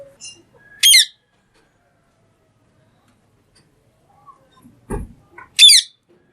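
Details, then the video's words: Green parrot calling: two sharp, loud harsh squawks a few seconds apart, each a brief burst of stacked high tones, with a soft low thump between them and near silence otherwise. "Talking Green Parrot Natural Sounds"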